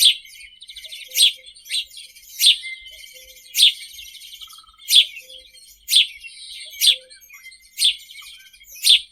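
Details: House sparrow (Passer domesticus) song: loud, sharp chirps about once a second, with softer twittering chatter running underneath.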